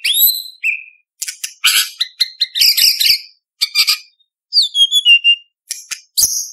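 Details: Varied song of a white-rumped shama (murai batu) with competition fills: rising whistles, harsh chattering bursts, a falling whistled phrase and crisp clicks, separated by brief pauses.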